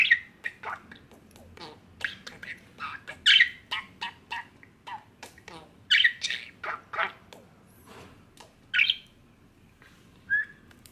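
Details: Five-year-old male pet budgerigar indoors, busy chatter of rapid short harsh chirps and warbles with several louder squawks around three, six and nine seconds, ending in sparser notes.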